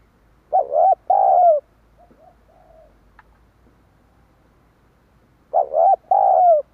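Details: Spotted dove cooing, used to lure wild doves: two loud phrases five seconds apart, each a rising hooked note followed by a long level coo, with faint quieter coos in the gap.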